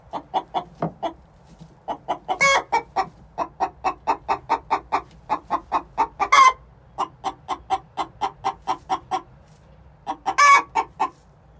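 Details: Egg song from two six-month-old hens before laying: long runs of rapid, regular clucks with three loud raspy squawks spaced through the sequence.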